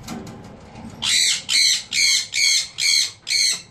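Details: Sun conure parrot during mating. A low murmur gives way to six loud, harsh, high-pitched shrieks. They repeat steadily about twice a second.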